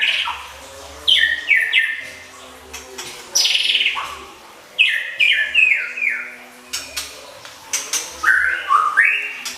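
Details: Oriental magpie-robin tutor filler song for competition birds: short phrases of descending slurred whistles, each phrase about a second long, repeated every two seconds or so with quiet pauses between.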